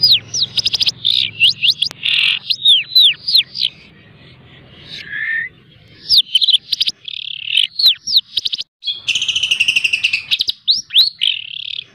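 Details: Long-tailed shrike pet trained by mp3 mastering delivers a very fast, close-packed song of sharp chirps, rattles and slurred whistles at over three notes a second, interrupted by one short quieter gap.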